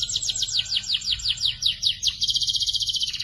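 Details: Juvenile canary song for training birds. Evenly spaced descending whistles, about five a second, give way to a rapid, flat, high trill.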